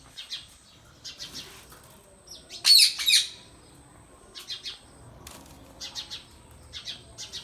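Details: Green Indian ringneck parrot kept as a pet: soft, rapid chirps repeated throughout, broken by a loud, harsh double squawk midway, with a faint high steady hiss behind.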